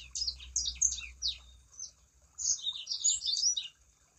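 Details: Sangihe shrike-thrush song as a lure for other birds: a few separate sharp, high, descending slurred notes, a short pause, then a quick tumbling burst of bright chattering notes.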